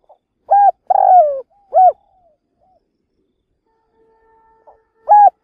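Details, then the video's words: Decoy spotted dove calling to provoke wild doves for trapping: a low coo phrase of a short note, a longer wavering note that slides downward, then a short note, repeated after a pause; otherwise quiet. "Mồi lụp gáy kích bổi"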